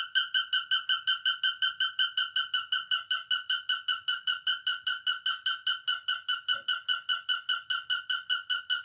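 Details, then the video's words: Cockatiel, a pet parrot, singing: a steady series of short, clear, harmonic chirps, about two and a half per second, each note identical and evenly spaced throughout, with a quiet background. "Карелла поет."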